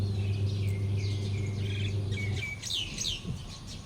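A common myna gives a varied run of chattering notes and clear, short whistles at a quick pace, over a steady low mechanical hum that fades midway.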